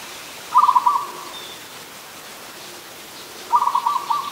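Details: Zebra dove, an adult, in Ubon Ratchathani, Thailand, 24 December 2020: a pair of fast bubbling coo series, each finishing on a drawn note, spaced about three seconds apart against a calm background.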